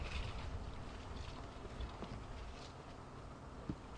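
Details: Quiet outdoor wind and low rumble at sunset with a few soft knocks, and no animal calls heard.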